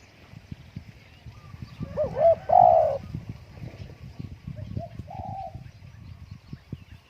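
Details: Spotted dove kept at home on a windy day instead of being taken out, giving a short run of mellow hooting coos, two louder notes in the middle and softer coos after, over low rumbling background noise.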